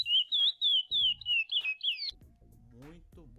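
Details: Chestnut-bellied seed finch (curió) singing a complete classic Paracambi song, 9 intro notes plus 10 repeated notes, ending in a "serrada mateira": a run of clear whistled notes near one pitch, about three per second, then a man's voice speaking.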